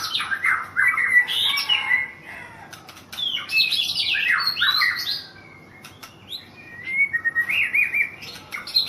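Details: Champion white-rumped shama in Thailand pours out fast, dense bursts of tumbling whistles and harsh chatter, falls quiet for about a second, then resumes with quicker trilled notes.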